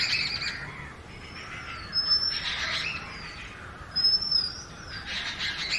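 Oriental magpie-robin singing clear, high whistled phrases that slur up and down, repeated about every two seconds over a hiss of background noise.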